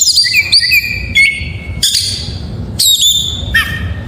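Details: Full song of a white-rumped shama, used to get a silent shama singing: short rising whistles with sharp upward sweeps, repeated in phrases about a second apart.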